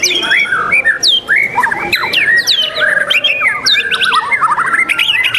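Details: White-rumped shama at a singing competition on 12 December 2021, delivering varied clear whistled phrases, some sweeping up and down, others in quick slurred runs, with faint song from other birds behind.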